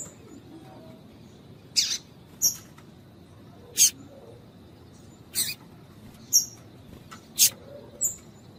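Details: Female double-collared seedeater (piadeira) calling, used by breeders to stimulate a cold male of tui tui song style: brief, piercing high chips spaced roughly one to one and a half seconds apart, with a steady low hum behind.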